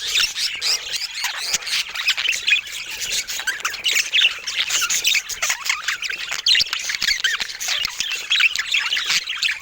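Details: Continuous budgie chatter from birds of different colour mutations: a thick wash of twittering, rising and falling warbles and short rasping squawks lasting throughout, dotted with brief clicks.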